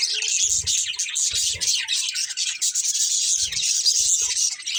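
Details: Pet budgies chirp in a dense, hissing, scratchy stream of high twitters, with a few soft low bumps scattered through the chatter.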